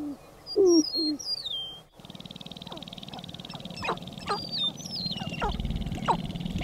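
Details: Sharp-tailed grouse males displaying on a lek at sunrise in April, Carlton County, northern Minnesota, about four females watching: low cooing hoots, then a steady buzzing rattle under quick rising whoops and clucks from several males.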